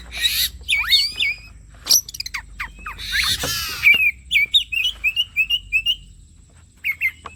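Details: ['Oriental magpie-robin singing as bait to draw singing from other birds: opening harsh chatter and swooping whistles, then a run of about seven short clear whistled notes repeated roughly every half second.']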